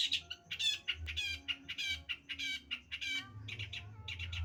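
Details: Long-tailed shrike song made of harsh, buzzy chattering bursts roughly twice a second, mixed with brief clear whistles, over a faint low hum.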